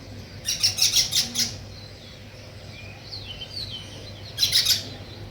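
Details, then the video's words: Weaver birds at work building a nest, giving two loud bursts of fast, high, rattling chirps separated by faint twittering and soft sliding notes, with a low background hum throughout. "Sparrow Chirping Sounds, |Weaver Birds Building Nest"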